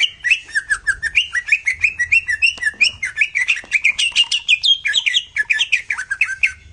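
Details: Greater green leafbird master song used to spark jantrok: a continuous, fast stream of varied chattering and warbling notes, several per second, bouncing between high and lower pitches.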